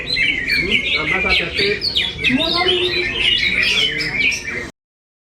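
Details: Greater green leafbird in full song: dense, rapid warbling of whistles, trills and scratchy chatter, loud and unbroken until the sound cuts off abruptly near the end.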